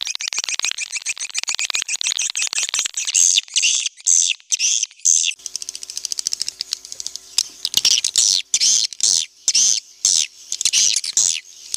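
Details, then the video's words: Clear swiftlet call meant to attract birds to a busy bird house: dense buzzy twittering at first, then separated high chirps about twice a second, with faint low steady hum in the middle. "Suara panggil burung walet jernih bisa bersaing di rbw padat"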